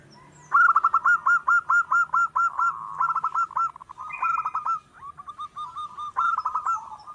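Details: Wild local zebra dove in persistent song, recorded to lure other doves. Loud, quick series of trilled coo notes, each phrase of eight to ten beats, pausing briefly before the next run; faint higher chirps above.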